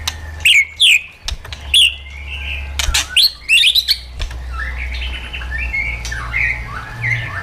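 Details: Caged-bird training track of White-rumped shama wild-style song. Loud, sharp whistled notes come in quick pairs at first, then softer fluty phrases continue over a low steady hum.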